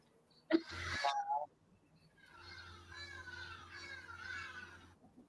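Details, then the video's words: Hadada ibises calling in the distance, first mistaken for crows: harsh, nasal, falling cries in a ragged run lasting nearly three seconds, after a brief burst of indoor noise, over a low electrical hum. "those are not crows, but our Hadidaahs, official name hadada ibis...their call in quite particular"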